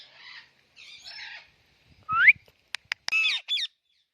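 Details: Alexandrine parakeet calling, a talking parrot alongside: soft breathy murmurs, then a sharp rising whistled squawk and a few clicks, ending in loud harsh rasping squawks with bent, ringing overtones.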